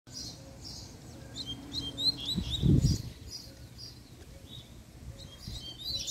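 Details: Male double-collared seedeater in an excited, fiery state giving a puxada-style song: bursts of high, rapid chirping notes scattered through the clip over a steady low hum, with a brief louder low thump near the middle.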